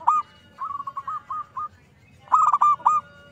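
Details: Actively singing zebra dove used as a lure: one sharp note, then a soft run of short coos, followed by a loud bubbling rolled phrase.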